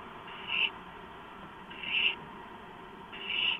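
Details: Barn owl at the nest during a gopher delivery at 11:43 PM on 2 April 2015: three loud, harsh hissing screeches, each about a quarter second long, repeated roughly every one and a half seconds.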